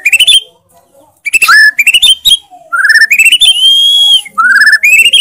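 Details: White-rumped shama (murai batu) singing with 'isian' fills and loud 'tembakan' shots: short bursts of rapid rising notes alternating with a long, steady, clear whistle.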